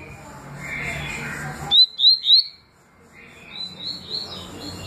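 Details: Double-collared seedeater singing in the tui tui and deputado song styles: three loud, clear whistled notes, each sweeping upward, given in quick succession after a stretch of soft background hiss, with faint higher chatter afterwards.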